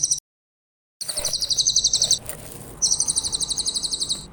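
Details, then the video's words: Clear high song of a grey-headed canary-flycatcher, used to tutor other songbirds: a brief dropout, then two runs of fast, evenly pulsed, shrill trilling separated by a short pause, over faint background noise. "Masteran burung cililin , suara jernih"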